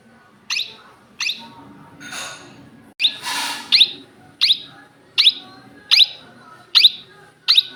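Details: A pet Indian ringneck parakeet gives sharp, high screeching calls, about ten in eight seconds at a fairly steady pace, with a brief noisy burst partway through.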